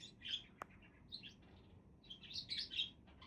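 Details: Several budgerigars chatter in short high chirrups, with a single click early on and a rapid run of warbled notes in the second half.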